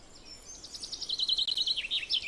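A chaffinch song: a bright, rapid series of repeated notes tumbling down the scale, ending in a quick flourish. Light background hiss.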